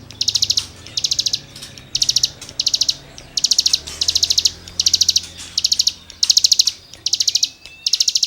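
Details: Cigun in full song for songbird tutoring: evenly spaced bursts of rapid, high, grating trilled notes, roughly one every second, with a faint whistle near the end.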